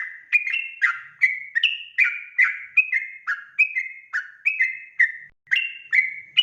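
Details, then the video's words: Sooty-headed bulbul song used as a lure: rich whistled notes around mid pitch, short phrases repeated in quick succession about every half second, each with a sharp onset and a slight rise or fall, clean with no other sounds. "trucukan ropel gacor RAJA PIKAT ini REKOMENDASI MENJADIKAN agar burung trucuk gacor NYAUT SEKETIKA"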